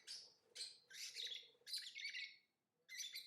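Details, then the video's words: Lovebird chattering in rapid, rasping high chirps strung into long buzzy phrases, nearly continuous for two and a half seconds, then a short pause and another burst; faint low hum behind. "Lovebird Singing & Chirping Sounds"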